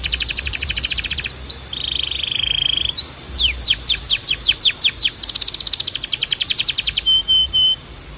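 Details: Canary song for training young canaries to sing: rapid high rattling trills, a brief steady whistled note, then a run of bright downward-sweeping notes and another fast buzzy trill, all clear and close.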